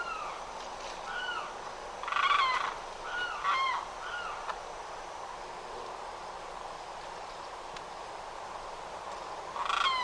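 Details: Limpkin from Florida wetland, loud crying calls: a few harsh wailing shrieks clustered in the early seconds, then a long stretch of steady background hiss before one more cry at the end.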